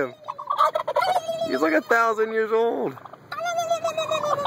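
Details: Angry turkey attacking a person gobbles in loud, rattling, bubbling bursts with nasal harmonics, one long wavering stretch in the middle, with some human voices mixed in.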